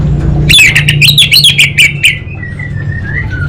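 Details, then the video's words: Caged orange-headed thrush from North Bali, Singaraja, singing a fast burst of sharp chirps and rising whistled notes, about four per second, then trailing softer warbled phrases; steady low hum underneath. "ANIS BATA Berkicau Gacor"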